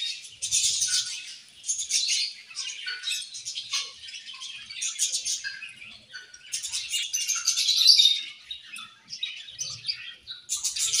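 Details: Budgies chirp and sing during playtime in intermittent bursts of high, scratchy warbling separated by quieter gaps. A few short squeaky notes stand out, and the last bursts are loudest.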